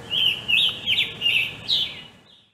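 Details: Scarlet tanager, a forest canopy bird of the northeastern United States, singing a run of five hoarse, burry, robin-like phrases, about two a second, high-pitched and slurred, with a faint low hum behind.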